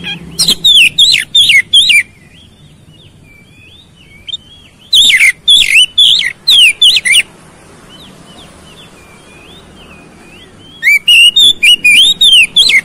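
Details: Oriental magpie-robin singing to incite a fight response: three energetic bursts of sharp, looping whistled notes, with softer wavering whistles filling the pauses between them.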